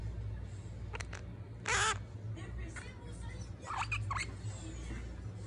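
An orange-fronted parakeet gives one loud, harsh screech, then a burst of squeaky, chattering notes, over a steady low indoor hum.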